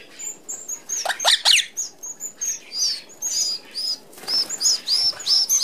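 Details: A whir of feeding red-browed finches in Australia at an open aviary feeder: dense, wavering high squeaks at two pitch levels and loud flapping-wing bursts throughout.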